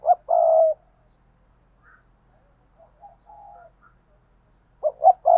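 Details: Decoy spotted dove calling: a short low coo followed by a longer drawn-out coo, a quiet pause with soft faint notes, then another pair of short coos starting at the end.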